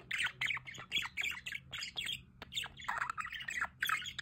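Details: Budgerigars in an aviary by a solar water fountain give loud, rhythmic grating squawks and chirps in quick bursts, about two to three per second, with a faint low hum behind.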